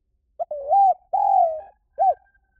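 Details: One spotted dove phrase used as a lure: a quick introductory note, a wavering coo, a long level-then-falling coo and a short arched closing coo, soft and mellow.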